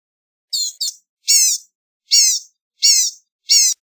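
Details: Blue-gray gnatcatcher calling: high, slightly buzzy nasal notes, a quick pair followed by four evenly spaced longer calls about every three quarters of a second, against a clean quiet background.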